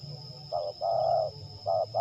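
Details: Spotted dove, a lure bird in a singing trial at Liwa, West Lampung, Indonesia, giving a short coo, a long drawn coo, then two more short notes, with low background rumble and a constant thin whine.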